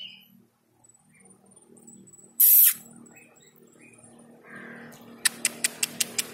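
A rainbow lorikeet gives one brief, harsh, high screech, followed by a quick run of six sharp clicks over a faint indoor hum.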